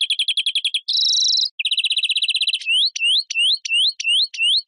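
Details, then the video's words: European greenfinch song: rapid chirping trills, a drawn-out buzzy wheeze, another fast trill, then a run of rising whistled notes, all high-pitched and clean. "Carduelis Chloris Verderon song"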